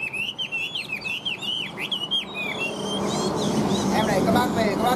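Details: Moulting caged Chinese hwamei, a big-bodied male offered for sale, still singing strongly: a fast series of clear whistled slurs repeated about four times a second for two and a half seconds, then fading under a man talking.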